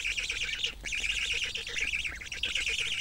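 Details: Black stork (Ciconia nigra) chicks being fed by a parent, Kamenice, 2021, give begging calls: a fast, continuous run of harsh, wheezy high notes, several each second, with hardly a pause.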